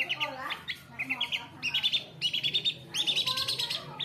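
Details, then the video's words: Long-tailed shrike (cendet) in the 'suguh dayoh' style, bursting into loud song when a guest or passer-by appears: rapid, bright chattering bursts of short high notes, each bout about half a second long. Soft human voices murmur underneath. "cendet SUGUH DAYOH ada orang lewat, cendet langsung gacor"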